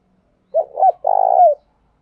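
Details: Spotted dove decoy coo used to lure other doves. Two brief low notes lead into a longer, slightly pulsing coo that slides down at the close. The recording is clean and quiet.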